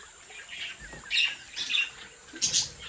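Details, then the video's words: Budgerigars from a domestic breeding colony give three loud, sharp chirps spaced about half a second apart, over quieter warbling and a light hiss. "Sonidos relajantes para Periquitos ASMR🔊🎼de Mi cría de Periquitos Australianos"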